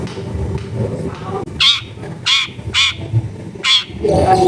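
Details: Long-tailed shrike delivering sharp 'tembakan' shots meant to lure silent shrikes into singing, taped in a densely populated neighbourhood; four harsh, loud rasping bursts spaced under a second apart, then a scratchy chatter, over low background noise.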